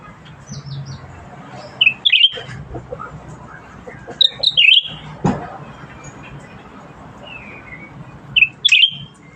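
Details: Actively singing cucak ranting bulbul: three short, sharp, whistled flourishes that drop and twist, spaced a few seconds apart over quiet background noise and an occasional click.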